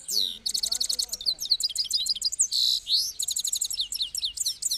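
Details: Himalayan goldfinch singing a fast, bright twittering song of high tinkling notes, buzzy trills and rapid upslurred chirps in dense runs, with a brief drawn-out buzzy note near the middle.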